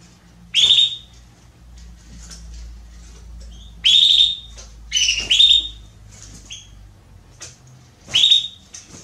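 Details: Female Belgian canary calling to solicit mating, giving sharp high chirps in separate bursts about every one to three seconds, some doubled, over a low steady hum.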